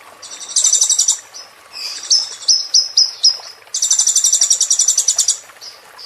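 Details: Sunbird singing in a recording made for caged-bird training: a shimmering, high, buzzy trill, then a string of brief sharp whistled notes, then another long trill.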